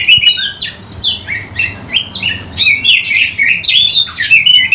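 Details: Oriental magpie-robin, kept bird in full song with tail spread, used to lure other magpie-robins: a fast, varied run of loud whistled phrases and slurred notes, rising and falling, with brief pauses between bursts.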